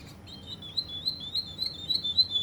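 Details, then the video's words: Russian canary from Kuwait: a fast even trill of wavering notes held at one steady pitch for the whole phrase, fairly soft. "Russian canary from Kuwait"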